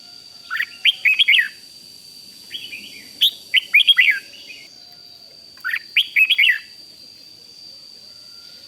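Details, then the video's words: Red-whiskered bulbul rik song used to rouse other bulbuls: three well-spaced bursts of rapid, bright whistled notes, over a constant high-pitched background tone. "เสียงนกกรงหัวจุก ร้อง ริก ยั้วให้นกคึกดีมาก"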